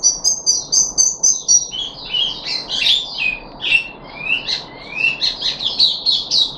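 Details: Puff-backed bulbul on its third day of deworming treatment, recorded 14 July 2021: high, rapid chattering phrases, first clipped notes, then slurred upward whistles and bright warbled bursts, delivered about four per second.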